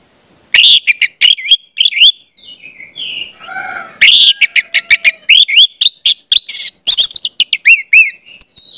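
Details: Orange-headed thrush song played to spotted juveniles to prompt them to sing: a dense run of loud, sharp whistled notes and rising slurs, broken by a brief soft warble, then more rapid emphatic phrases.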